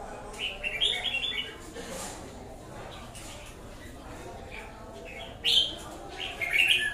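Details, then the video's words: Red-whiskered bulbul uttering scattered short, chirpy warbled notes near the start and again toward the end, with long quiet stretches and faint background noise between. "Chào mào bổi lở a cu ty"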